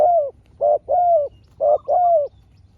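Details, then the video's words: Spotted dove answering a wild rival dove in turn: five low, hollow coo notes, short ones alternating with longer slightly falling ones, over faint low background hum. "เสียงนกเขาใหญ่ เจอนนกป่าเสียงเล็กคูดีคูสู้กันอยู่นานกว่าจะติดแลกกกันคนละทีทีี"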